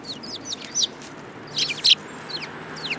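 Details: A lively group of sparrows gives quick high chirps and slurred downward chips, a brief louder pair of notes midway, against low background noise.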